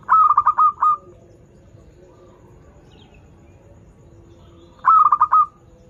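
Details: Local zebra dove singing, a song used as a lure for doves learning to sing: a rapid stuttering run of low notes ending in a drawn-out tone, two phrases about five seconds apart, quiet background.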